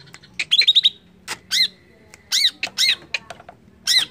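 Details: Provoking song of a greater green leafbird, played to get other birds excited fast. Brisk high chips and a short rattling run lead into separated, loud, arching whistled squeaks with harmonics, uneven in spacing.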